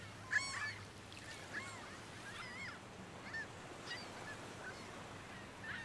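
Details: Ruddy turnstone: a series of short, curved, slightly nasal call notes given in loose bursts every second or so, over a steady low background rumble.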